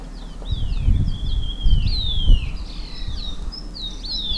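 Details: Green-backed tit chasing insects from shrubs and feeding on the ground, giving a busy run of chirpy, high, down-slurred notes that overlap and repeat, with soft rustling thumps beneath.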